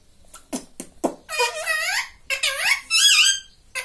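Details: Pet ring-necked parakeet (mitthu) at home, mimicking speech: a few short clicks and taps, then harmonic, nasal, speech-like syllables with bending pitch and harsh squawky overtones, in two bursts.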